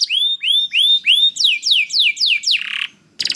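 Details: Canary song played to draw other canaries into singing: slow rising-then-falling slurred whistles, then steeply dropping notes and a buzzy rattle, a short silence, and a final burst.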